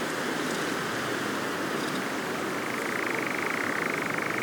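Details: European nightjar churring at dusk, late July, Cefn Ddu forestry in Wales, caught on an overnight drop-rig survey: a fast, mechanical purring trill that grows clearer in the second half over a hiss of wind-like background noise.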